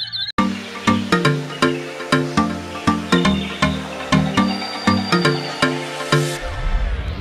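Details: Electronic music plays throughout, with regular plucked notes over a steady bass and a swell of noise near the end.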